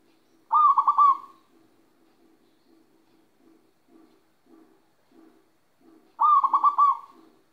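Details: Zebra dove of local stock, owned bird in moult, Magelang, Central Java: two identical trilled coo phrases about six seconds apart, each a rapid burst of rolling pulses, with soft low knocking sounds repeating in between.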